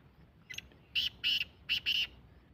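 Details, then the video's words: Black francolin (kala teetar) calling: a faint short note, then four loud, harsh, grating notes in a quick rhythmic phrase lasting about a second, over a low rumbling background. "Kala teetar ki awaaz black teetar voice teetar ki awaaz jungali teetar sound"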